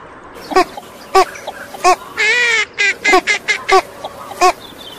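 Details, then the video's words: Female northern shoveler calling: short nasal quacks roughly every half second, with one longer, drawn-out harmonic call in the middle of the sequence. "Northern shoveler female Birds Sounds"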